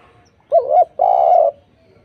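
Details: Spotted dove song used as a lure recording to prompt silent doves to answer: a short wavering coo, then a longer steady low hooting coo, in a quiet setting.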